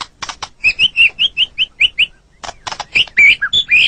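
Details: Song of a white-rumped shama, recorded for training caged birds: a regular series of short rising whistled notes about every fifth of a second, framed by harsh clicking bursts and ending in bright slurred whistles.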